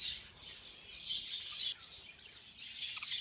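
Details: Budgerigars in a feeding frenzy: high, scratchy chirps and warbles overlap in a constant flock chatter, rising in short surges.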